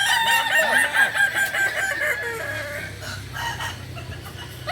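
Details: Kukuak balenggek rooster crowing at a practice event in Solok, a loud, pulsing, multi-syllable crow in the first three seconds, then quieter trailing notes over a low droning background.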